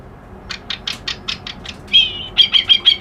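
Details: A reed warbler known as kerak basi alis putih sings a series of short harsh chips, then repeated thin, level whistled notes at a quick steady pace.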